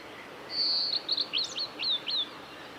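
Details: A male blue-and-white flycatcher sings at Kanazawa forest road, Lake Miyagase, Japan, on 17 May 2020: a high, clear drawn-out whistle, then a quick run of short slurred, dropping notes, under two seconds, over faint hiss.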